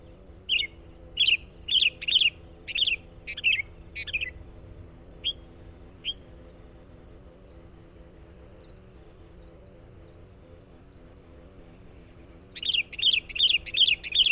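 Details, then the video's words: Lure song of a sooty-headed bulbul for catching wild birds: a series of rich, bubbling whistled phrases repeated roughly every half second, a couple of isolated notes, a long quiet stretch, then another burst of the rapid phrases; low hum throughout. "SUARA BURUNG KUTILANG PIKAT GACOR NGOTOT. PANCINGAN.."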